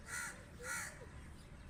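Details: Two loud, rasping crow caws in quick succession, a half second apart, with a faint whistled note from another bird beneath.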